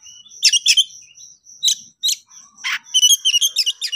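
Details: Oriental magpie-robin in konslet style, excited and calling a rival to fight: a few spaced sharp chirps, one rasping note, then a rapid run of bright trilled notes, over a faint high whine.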